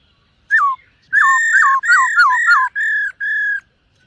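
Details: Silver-eared laughingthrush in morning voice training: a series of whistles that drop sharply in pitch, then two steady level whistled notes.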